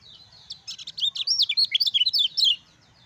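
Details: Energetic chattering song of a Lemon-bellied white-eye, the 'ciak ciak jos' style kept to train silent birds. Dense, tumbling high notes with quick downward slurs run for about two seconds, then stop abruptly.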